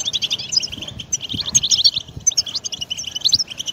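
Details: European goldfinch singing, a recording meant to prompt a pet bird into song: quick bright chirps and tinny trills chatter continuously, with occasional sharper whistled notes and faint low tapping beneath.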